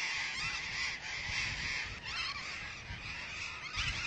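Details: Burrowing Parrots at a huge nesting colony in Argentina, where about 35,000 pairs nest, producing a dense, unbroken chorus of harsh overlapping screeches and squawks with no single bird standing out.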